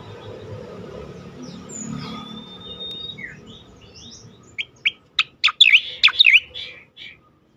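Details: Cica koreng song for training songbirds; soft scattered whistles at first, then a quick burst of sharp chirps and looping warbled notes near the end.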